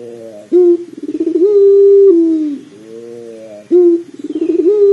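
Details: Pelung dove coo repeated twice, meant to prompt a dove to begin calling: each phrase opens with a crisp short note, breaks into a quick vibrating roll, settles into a long even tone and drops off, with a lower murmur between phrases.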